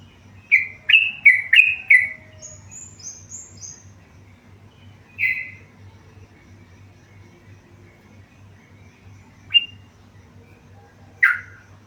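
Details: Tame yellow-vented bulbul in active song: a quick burst of three or four chattering, warbled notes at the start, then a few faint high twitters, and isolated loud single whistles spaced several seconds apart.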